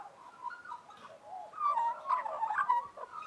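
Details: Australian magpies warble in harmony, soft mellow notes at first, then a brighter run of quick fluted and chattering phrases over a faint background hiss.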